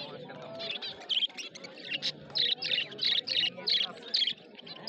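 Budgerigars chirp in quick, scratchy bursts, high warbled notes tumbling over one another.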